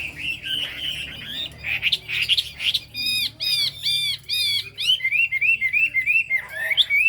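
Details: High 'cao cầu' song of a Chinese hwamei: rich, varied whistling with loud slurred phrases, strongly repeated arching notes, then fast rippling trills, all continuous and bright over low background hum.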